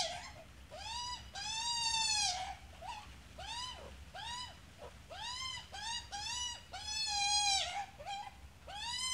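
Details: Australian magpie, adult with a chick: arched, wheezy, nasal calls, some short and some stretched to about a second, repeated throughout with little pause.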